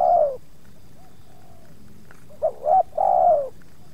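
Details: Spotted dove approached in one yard by two wild birds, the second giving some resistance; a falling coo ends, faint far coos follow, then a short hiccup note, a rising coo and a long mellow descending coo.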